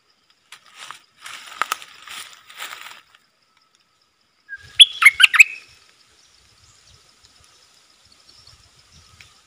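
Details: Soft rustling fluttery noise opens, then a wild bulbul, probably with young in its nest and not approaching the cage, delivers one quick, bright, tumbling phrase of sharp notes before quiet returns.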